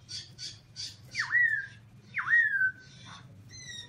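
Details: Caged black-throated laughingthrush singing loudly: a few harsh rasping notes, then two clear whistled phrases that dip sharply and rise before levelling off, with a low hum underneath.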